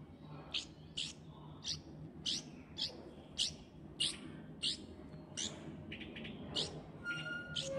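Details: Hand-raised light-vented bulbul chick, three weeks old and friendly to people, treating its keeper as a parent and shouting loudly when hungry; harsh, sharp chirps repeat roughly twice a second, with faint steady tones near the end.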